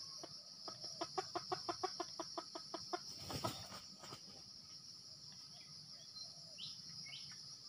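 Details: Junglefowl being lured with a decoy in Sumatra, giving a quick run of about a dozen sharp, evenly spaced clucks that speed up slightly, then a loud broadband rustle. Steady insect buzz, with faint rising chirps of other birds after.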